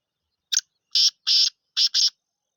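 A black francolin gives a harsh, grating phrase of five rasping notes: a short clipped one, two drawn-out ones, then a quick final pair, over a quiet background.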